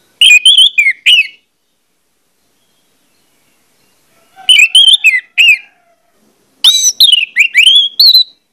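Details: An Orange-headed thrush delivers three lively song bursts, used as a lure recording: fast sequences of varied whistled notes, some rising and some dropping, each burst lasting about a second and a half with silent gaps between.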